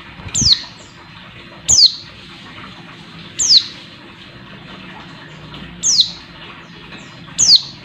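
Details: Oriental white-eye female giving her call to stir up a male: five high, thin down-slurred whistles spaced one to two seconds apart against a low steady hiss.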